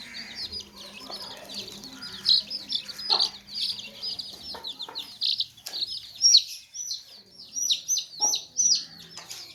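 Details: Many baby chicks kept in a tokri, or basket, give bright, high peeps that arch downward, steady at first, then louder and spaced out in the second half, with brief low clucks.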